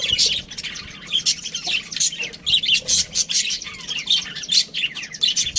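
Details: Budgie chatter: rapid, overlapping high-pitched squeaks, scratchy twitters and short sharp chirps, rising and falling in loudness throughout.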